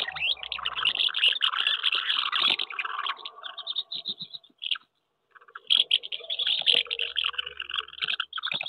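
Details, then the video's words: Common house martins at nests on a wooden house during May courtship, with disputes between birds over nest sites; dense twittering chatter, a brief pause midway, then renewed busy twittering. "Mehlschwalben am Holzhaus, die Balz im Mai 2023"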